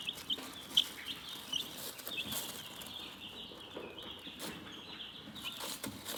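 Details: Quiet, soothing chicken chirping: a few sharp high peeps at the start, then a softer steady murmur of thin chirps over light rustling.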